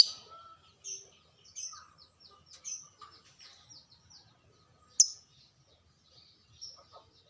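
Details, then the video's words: Caged lovebirds heard as a lure to stir other lovebirds into eager singing; sparse, faint, high, sharp chirps and short squeaky notes with a few lower tones scattered across the recording, one louder shrill chirp near the end. "pancingan burung LOVEBRID"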